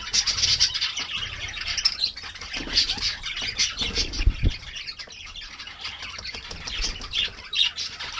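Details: Kākāriki (New Zealand parakeets) enjoying a bath on a mild winter morning: dense, continuous high squawky chatter with overlapping sharp notes, plus occasional low thumps and splashing-like bursts from the bathing birds.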